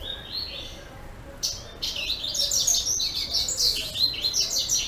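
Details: Double-collared seedeater from a breeding aviary, recorded 10 April 2014: after a quiet start, a rapid, high, twittering song of chirps and buzzy trills begins and runs almost continuously to the end.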